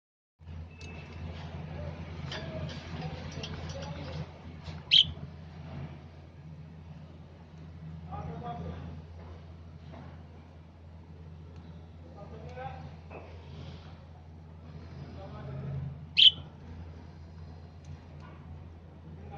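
Budgerigar giving soft, scratchy warbling chatter broken by two sharp, high chirps over a steady low hum.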